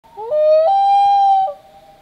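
Common loon giving one long, mournful, howl-like note that slides up, holds steady for about a second, then breaks off; nothing else is heard.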